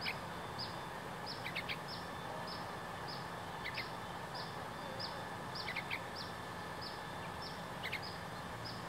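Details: A juvenile yellow-vented bulbul gives loud, short, high chirps about twice a second, some with a quick downward slur, even as it is approached, over steady background hiss.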